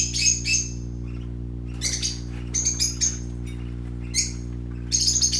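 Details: Colourful baby parakeets playing, giving bursts of sharp, high chirps in quick clusters, some doubled, with short gaps between, over a steady low electrical hum.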